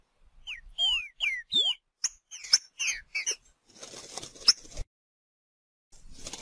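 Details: Green-winged saltator singing in nature: four or five loud, descending whistled slurs, then a quicker group of shorter notes, fading into rustling noise and a brief silence.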